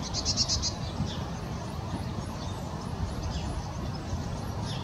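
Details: Song thrush in song at Hope Carr near Leigh, Greater Manchester, early February 2019: a short phrase of four quick repeated high notes opens, followed by fainter high snippets against constant low-frequency noise.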